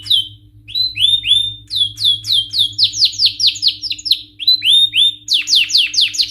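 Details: Male canary singing excitedly, with clear curved whistles and quick descending slurs repeated in varied runs, some notes doubled, a short break midway, and a faint background hum.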